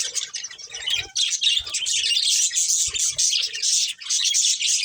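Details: Steady, loud warbling chatter from a breeding pair of budgerigars, a continuous stream of scratchy high chirps with a few soft low knocks in the background.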